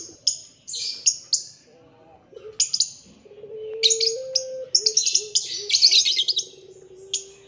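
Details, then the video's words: Puter pelung young Barbary doves, noisy after being fed. Sharp high chirps from other birds fill the opening. A sustained low coo then rises a step, falls back and trails off beneath dense twittering. "bikin rame sudah pada kenyang anakan puter pelung"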